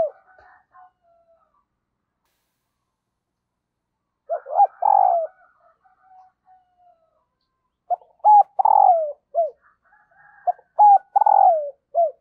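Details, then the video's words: Female dove calling to rouse a male, repeating her phrase three times over twelve seconds: brief notes, a level hoot, a long coarse falling coo and a downslurred tail, with silent gaps between. "Tiếng Chim Cu Mái Kích Trống, Bổi Nghe Rất Nhanh Nổi"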